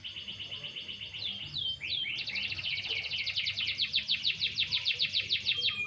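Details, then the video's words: Sunbathing canary delivering a loud, continuous song: quick descending swoops followed by a fast, even rattling trill of high notes, several per second, over faint low hum. "burung kenari jemur tipis tipis"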